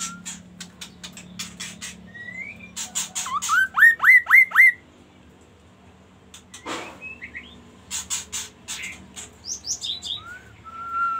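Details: Singing magpie-robin: a clicking rattle, a quick sequence of rising whistles, a pause with a single broad burst, then more clicks and high downslurred and level whistles near the end.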